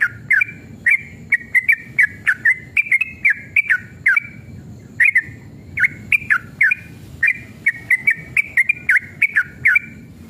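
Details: Sooty-headed bulbul singing aggressively in drawn-out rapid 'ropel' phrases, played to trigger other bulbuls to sing; bursts of fluty, slurred whistles with brief gaps between runs, sharp clicks throughout and a low rumbling background.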